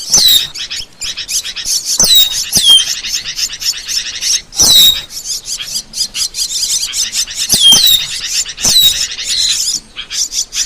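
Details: Asian glossy starling training recording for songbirds: dense, high, continuous twittering chatter punctuated by sharp downward-sweeping whistles, with louder bursts near the start, middle and end.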